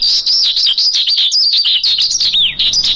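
A lark delivers a rapid, continuous stream of high chirps, trills and slurred notes, with a descending whistle near the end; no other sounds.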